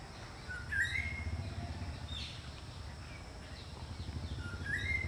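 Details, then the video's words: Greater racket-tailed drongo giving two clear whistled calls, each a short low note sliding up into a higher sustained whistle, separated by about four seconds, over a steady low rumbling background noise. "Racket Tailed Drongo Call | Greater Racket tailed Drongo Call"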